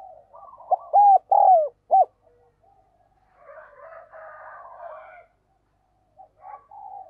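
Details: Decoy spotted dove giving an urging call to draw wild doves in: a loud phrase of short, arched, hollow coos around 1.5 seconds, followed by softer, buzzy cooing murmurs and a few faint notes.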